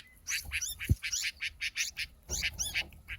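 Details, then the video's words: Himalayan bulbul (white-cheeked bulbul, Pycnonotus leucogenys) chicks giving rapid, harsh, rasping chirps in quick overlapping bursts, with a soft thump partway through. "Chicks Of Himalayan Bulbul Bird जुल्फे जुरेली वा तार्के जुरेली चरा"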